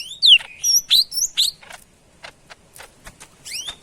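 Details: Greater green leafbird, called cucak ijo Medan, singing loudly: sharp whistled notes sliding down from high pitch, clustered quick phrases, then softer scattered clicks and chips.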